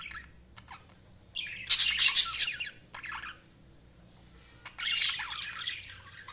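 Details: Budgerigars chirping: two bursts of dense, scratchy, high warbling chatter, the first loud and busy, the second after a short quiet gap, with faint separate clicks and chips between them.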